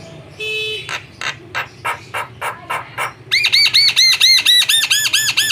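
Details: Javan myna song used as a lure: a brief nasal tone, then a series of harsh rasping bursts, followed by a quick train of arched whistled notes repeated about two per second, clear and loud.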